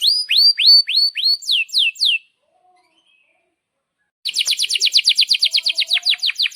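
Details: Canary song for training young canaries: a string of loud rising whistled sweeps with falling tails, a two-second pause, then a rapid even trill of repeated notes.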